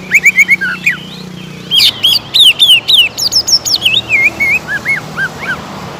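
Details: Energetic greater green leafbird song used as a lure to excite rival birds: rapid chips and whistles at first, then a long run of sweeping, up-and-down whistled notes delivered several per second, clear over light background noise.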